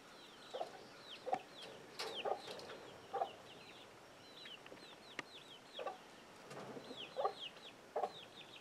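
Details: Chicken giving an alert sound that sends young chicks scrambling; low, gruff clucks come in irregular bursts roughly every second, while many high, thin, downward-slurred chick peeps continue throughout.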